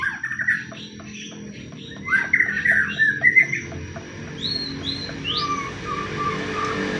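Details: Pastol fighting-style lure song of a white-rumped shama, intended to provoke other shamas to sing: a burst of fast chattering and warbled notes, followed by softer, high, rising whistles over a steady background hiss.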